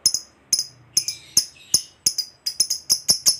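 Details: Fighter lovebird used as a lure to make other lovebirds call: a quickening series of about fifteen short, sharp, very high chirps, some in close pairs, with brief lower twitters between them.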